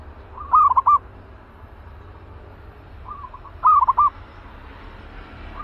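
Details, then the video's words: Zebra dove, an aggressive caged bird ready for use as a trap lure, gives two bursts of soft, rapid staccato cooing notes about three seconds apart, each with fainter coos around it, over a low steady hum. "Naik Lagi Merbuk Galak"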